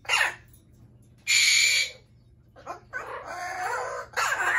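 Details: Pet Amazon parrots, among them a yellow-naped Amazon, screaming loudly indoors: harsh, noisy squawks in bursts of about half a second, separated by short pauses, with a steady low electrical hum underneath.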